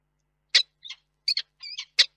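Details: Male peregrine falcon calling for his absent mate at a nest box in Reda, Poland, on 21 August 2021, before entering to roost for the night; short harsh chips and a few thin whistled notes, about six calls in two seconds.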